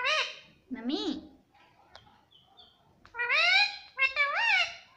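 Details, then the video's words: Pet parrot repeating "mummy": nasal, wavering speech-like syllables, two near the start and two louder ones later, with soft clicks between. "मम्मी पापा बोलता मिट्ठू || प्यारा तोता मिट्ठू मम्मी मम्मी बोलेगा || Talking Parrot"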